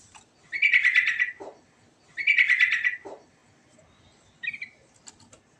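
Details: Sooty-headed bulbul (trucukan) delivering its rolling 'ngerol' song: two loud, bubbly, chattering phrases about a second apart, each ending in a lower note, then a short bright fragment.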